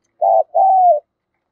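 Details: Single phrase from a decoy spotted dove cooing to lure wild birds: a short, even coo, a brief gap, then a longer drawn-out coo that sinks gently at the end.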